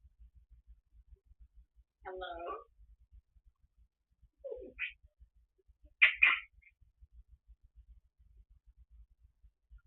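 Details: Pet African grey parrot chattering to the TV at home alone. Three spaced bursts of parrot voice: a mumbled speech-like phrase, a short low note, then a louder, higher squawky double syllable, with near silence between them.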